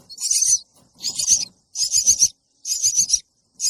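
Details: Chick begging to be fed, giving high, raspy chirping bursts about half a second long, repeated roughly every second with short silences between.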